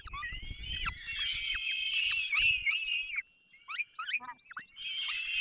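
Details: Peregrine falcon nestlings being fed by their parents in the Barycz Valley, Poland, 3 May 2024; shrill, wavering squeals run continuously, then break into scattered short cries with low knocking sounds.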